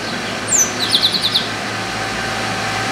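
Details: Chestnut-capped blackbird perched in an orange tree, singing a lot: a sharp, high descending whistle, then a run of five short, buzzy, evenly spaced notes, over a steady low background hum.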